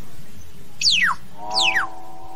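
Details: Common hill myna calling its flock with two clear whistles, each a steep downward slide from very high to mid pitch, about three-quarters of a second apart, with a steady low hum underneath.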